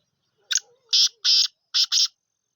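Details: Black francolin, locally called kala teetar or Sindhi teetar, giving a loud, harsh, grating call: a short clipped opening note, then two long rasping notes, then a quick closing pair, in a quiet background.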